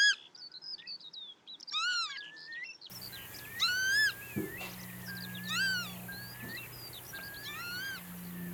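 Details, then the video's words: Northern lapwing (Vanellus vanellus) recorded in the wild gives wheezy, slurred 'pee-wit' calls that sweep up and down, about one every two seconds, over a low steady hum. "Northern Lapwing Sound – Song & Bird Calls"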